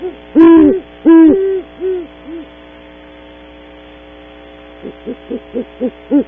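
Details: Great horned owl pair at a cavity in early morning, Audubon Starr Ranch, California, via cavity camera: loud deep hoots trailing into softer ones, silence, then six short evenly spaced hoots.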